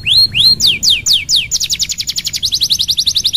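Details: Canary singing to lure a reluctant bird into song: two rising whistled swoops, several slow falling slurs, then a rapid even trill of short high notes speeding up toward the end, with low hum beneath.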